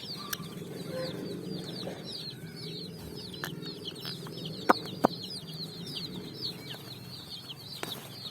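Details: Colourful chicks foraging on sand at evening; a steady stream of high, quick peeping from many chicks, broken by a few sharp clicks and taps, over a soft low hum.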